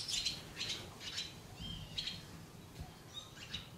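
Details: Barn swallow (Hirundo rustica rustica) in June 2016 at Uitkerkse Polder, Belgium, gives short, bright, high twittering chirps, about two a second in loose bursts, over a low background rumble.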